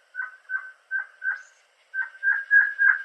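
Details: Crimson-headed Partridge of Bornean montane forest giving a run of short, ringing, mid-pitched notes, three or four per second, in two bursts separated by a short pause.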